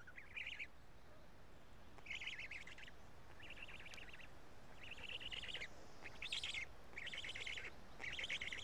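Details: At the Karula black stork nest on 31 May 2017 around 12:47, chicks feeding on two big fish; rattling, buzzy bursts about once a second, seven phrases growing slightly louder toward the end.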